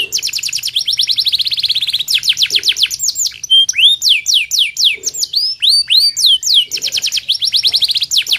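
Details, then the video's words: Canary singing vigorously: rapid repeated high downward-sweeping notes forming rolling trills, switching to rising whistled slurs and quick chattering runs, with barely a pause between phrases. "KENARI MEWAH!!"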